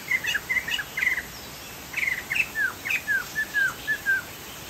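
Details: Chinese hwamei, described as a Sumatran bird, singing actively: a rapid run of clear whistled notes, some slurred downward, repeated about twice a second with short pauses, over a steady faint hiss.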